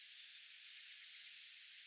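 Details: Grey wagtail singing from a power line: six bright, high, clipped notes in a fast, even series lasting under a second.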